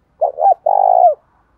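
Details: Spotted dove used as a lure for provoking fights, giving a loud call: a doubled throaty opening, then a sustained rolling coo that bends downward at the close.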